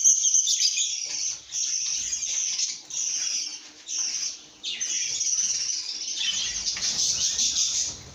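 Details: Lovebirds making happy chirping sounds in short bursts of shrill chatter separated by brief pauses, with some rustling.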